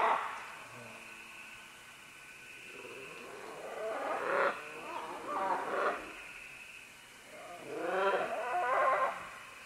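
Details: Several green-winged macaws descending along vines give a series of hoarse, wavering squawks. Quieter calls come early, then clustered raspy calls in the middle and toward the end, over a low background hum.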